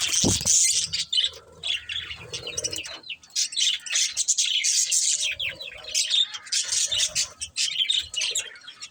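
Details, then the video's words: Busy budgerigar chatter: a steady stream of harsh, buzzy warbling and fast chirps, with a brief thump at the start. "Cute Budgies Chirping Sounds"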